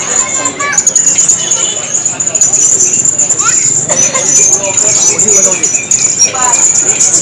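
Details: A blue-crowned hanging parrot competing at a bird-song contest keeps up a thin, very high, unbroken stream of shrill squeaky notes, with the murmur of a crowd and voices underneath.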